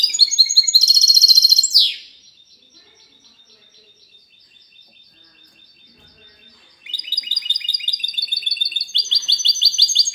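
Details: Goldfinch hybrid, 'cante limpio' clean-song style, 19 March 2020: a loud burst of high trills ending in a buzzy slur, about five seconds of quiet, then lively rapid twittering resumes and continues.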